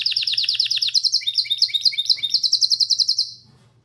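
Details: Canary singing a quick sequence of repeated chirped notes, about seven per second, shifting to rising two-part slurred notes before stopping abruptly; quiet low hum remains.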